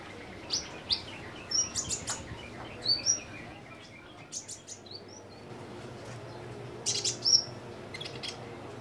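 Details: Kolibri ninja sunbird in a cage, singing actively: clusters of high, thin chirps and brief twitters, a quieter stretch in the middle, then a final burst of sharp notes.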